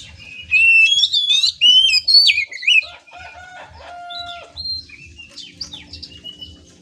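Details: Oriental magpie-robin, a kept songbird used in singing contests, delivering loud warbled and whistled phrases, some rising and falling, then held pure whistles and fainter chattering notes, with a low thumping rhythm underneath.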